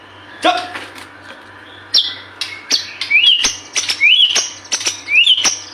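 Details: White-rumped shama singing persistently, used as a lure to prompt birds to sing: scattered sharp clicks, then short rising whistled notes repeated about once a second, over a steady low electrical hum.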